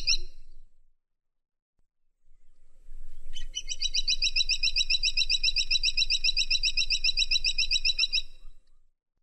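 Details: Woodpecker, known locally as caladi tikotok, giving a long, even, high-pitched rattling trill of rapid repeated notes lasting about five seconds, after a brief chirp and a pause.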